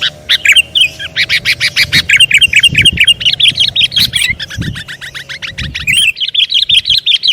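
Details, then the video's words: Sooty-headed bulbul sound used as a trapping lure: a busy run of sharp, rapid chirps and short whistled notes, mostly high-pitched, repeated almost continuously with a faint low hum underneath. "SUARA BURUNG KUTILANG PIKATAN"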